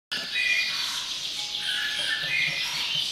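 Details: A wild Atlantic canary (Serinus canaria) sings a dense, continuous run of rapid high trills and twittering notes, with a few clear whistled tones threaded through.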